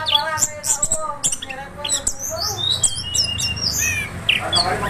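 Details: Orange-headed thrush (anis kembang) singing in the rolling 'gacor ngeroll' style: rapid varied whistles and chirps high in pitch, mixed with lower harmonic, voice-like notes. Steady low hum underneath.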